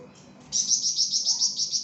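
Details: Pied fantail, locally flamboyan, singing lively for tutoring cage birds: a single rapid run of about nine high, sharp chirps after a short quiet start.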